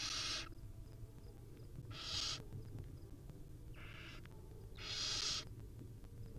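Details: Wild barn owl mother with her chicks at a nest cam: four harsh, broadband hissing screeches of about half a second each, spaced roughly every one to two seconds, over a steady low background hum.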